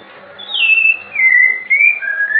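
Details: Clear whistled phrase of an albino or blorok white-rumped shama from Indonesia, sliding down from high then wavering in steps between level notes.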